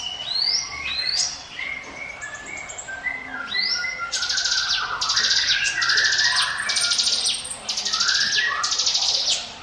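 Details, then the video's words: Mountain prinia song used to lure other birds: rising whistled notes at first, then a string of harsh, buzzy, high bursts repeated about every second, mixed with lower chirps and constant background hiss. "NGIWIT WIT SUARA CIBLEK GUNUNG SIAP JADIKAN PANCINGAN MU"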